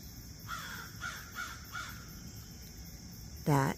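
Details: A crow perched in the open near Hixson, Tennessee, in September, unusual behaviour for crows. It gives four quick, evenly spaced caws, faint in the background, each short and dropping. A man's voice cuts in loudly at the end.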